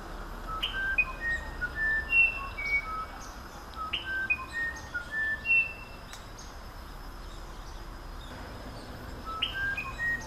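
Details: Musician wren singing repeated phrases, each opening with a rising buzzy note followed by a run of pure, flute-like whistles stepping up and down in pitch. Roughly three phrases, separated by quiet pauses, over faint background hiss.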